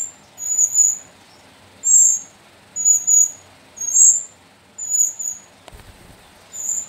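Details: High piercing squeaks from young sooty-headed bulbuls kept in captivity, taken from the slopes of Mount Sumbing, come about once a second over faint background hiss, with a brief click late on.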